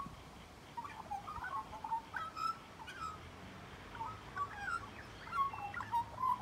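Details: Near a magpie, rich whistled and warbled phrases come in two bursts, with gliding notes and a few sharp clicks mixed in.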